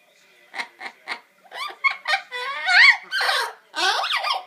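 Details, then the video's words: A 22-year-old pet yellow-naped amazon talking before bed in a small room: three quick chuckling bursts, then a run of speech-like syllables and a raspy, laugh-like cackle. "The Funny Things Our Parrot Says Before Bed!"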